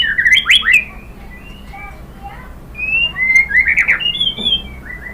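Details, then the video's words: Song of a White-rumped shama, played to stimulate caged birds to sing: clear whistled notes that slide up and down, a quick varied opening phrase, then scattered sweeping whistles over faint background hum. "KICAUAN MURAI BATU merangsang BUNYI jadi NYAUT GACOR NGEPLONG BONGKAR ISIAN | PANCINGAN MURAI"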